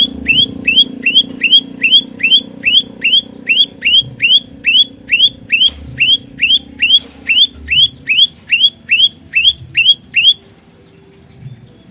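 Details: Steady fighter-style song of an olive-backed tailorbird used to lure birds for trapping, over twenty crisp rising chirps at an even pace of about two and a half per second, stopping near ten seconds over a low hum.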